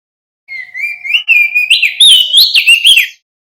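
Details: Loud, clear song of a male crested mountain white-eye from West Nusa Tenggara: a steady rising whistle sliding into rapid, jumpy warbled phrases that climb and dip, continuous for about two and a half seconds.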